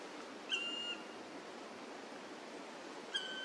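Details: Black woodpecker at the Korea National Arboretum gives two clear, drawn-out ringing notes about two and a half seconds apart, over a steady rushing hiss like wind or running water.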